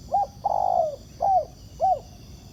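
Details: Spotted dove, a wild bird responding to a decoy set on the ground by a trapper, delivers one short coo, a long sustained downslurred note, then two evenly spaced arched coos, clear above quiet ambient noise.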